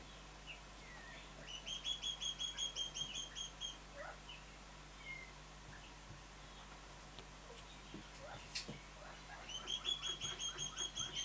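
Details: Two juvenile Mountain quail, three months old, give thin, high piping notes in quick even runs of about a dozen, one run early and another near the end, with brief softer chirps between and faint handling noises.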